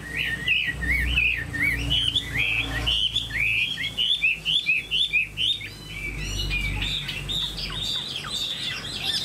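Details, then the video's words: Vietnamese caged Chinese hwamei in full song: clear whistled phrases rising and falling, then a burst of rapid staccato notes midway, then more sweeping whistles, with low room rumble beneath. "Hoạt Họa Mi"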